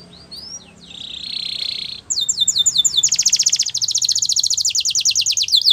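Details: Belgian canary song for training: a soft buzzy note and faint whistles, then a loud fast trill of repeated swept notes, about three and a half per second, over light background hiss.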